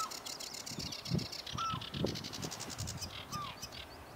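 A sedge warbler sings a fast, scratchy chatter of buzzy trills mixed with a few short whistled slurs, over heavy low wind rumble.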